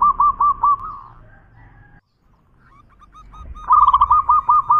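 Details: Local zebra dove, a champion in full song, gives a few rhythmic stuttering coos, falls silent for about two seconds, then resumes with soft coos building into a louder rapid rolling series.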